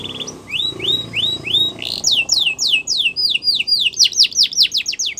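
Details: Yorkshire canary singing for song training: a short whistled opening, then rising slurred notes repeated about twice a second, then fast descending sweeps speeding into a rapid trill.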